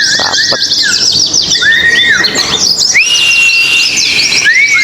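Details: At a singing contest on the hanging poles, oriental white-eyes pour out bright, rapid high twittering broken by arched slurred whistles and one long steady whistled note.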